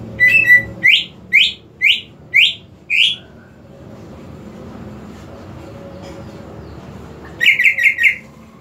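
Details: Greater green leafbird song used to stimulate a non-singing leafbird: a run of six loud upswept whistles about half a second apart, a quiet gap with faint hum, then a rapid burst of four clipped notes.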